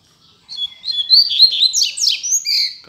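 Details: Caged double-collared seedeater singing as a teacher bird for young birds to learn from: a fast, sweet warbled phrase of high whistles and quick slurred notes, rising into buzzier trills near the end, lasting over two seconds.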